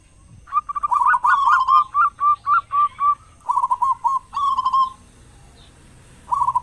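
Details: Loud local zebra dove, a lure for prompting other doves to sing in morning and evening; a trilled opening coo runs into a string of clipped, evenly paced notes, then more rolling phrases and a pause.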